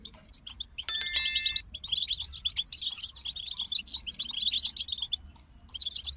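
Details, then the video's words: Dense twittering song from a group of European goldfinches, a fast stream of liquid chirps and trills, with a brief ringing chime-like tone early on and a short lull before a final burst. "King of Songbirds Goldfinch Group"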